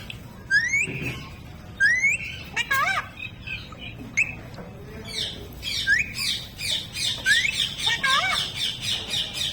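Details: Talking parrot voicing a sharp rising whistled note repeated several times, then stacked nasal squawk-like syllables and a dense burst of rapid chattering notes near the end; steady background hum throughout.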